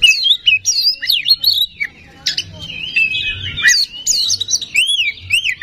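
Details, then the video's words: Oriental magpie-robin song meant to provoke singing: rich whistles, rising and falling slurs and sharp upward notes in varied phrases, separated by short pauses. "Suara Pancingan Kacer Agar Cepat Emosi Gacor"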